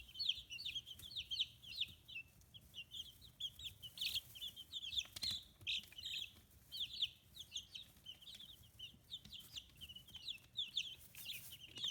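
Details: Young chicks aged 15 days on a small free-range poultry farm in Kitahiroshima, Hiroshima Prefecture, Japan: a dense, ongoing flock of high downslurred peeps, rising and easing in waves with faint rustling between.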